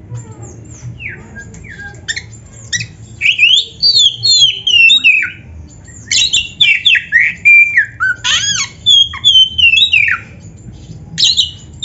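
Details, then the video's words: Oriental magpie-robin in full song, meant to prompt other birds to sing: long run of shrill whistles, rising and falling slurs and scratchy chips, gathering into rapid, dense bursts toward the end. "SUARA BURUNG KACER GACOR FULL MATERI"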